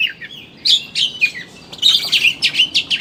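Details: Kacer, oriental magpie-robin, chattering ngeriwik lure song for prompting other birds to sing: a soft buzzy start, then loud rasping chatter notes repeated in a rhythmic series, about five per second near the end.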